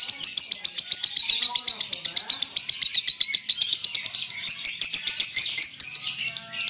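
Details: Lovebird delivering konslet song in the 'broken neck' style: a fast, rhythmic stream of shrill ticking notes, roughly four per second, blurring into denser rasping chatter toward the end.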